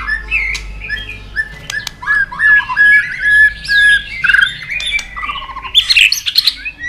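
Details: White-rumped shama, a caged bird kept for song contests, in competition singing with a long forest-style song: a rich run of whistled notes, rising and falling slurs, a rapid trill near the middle and high sharp notes at the end.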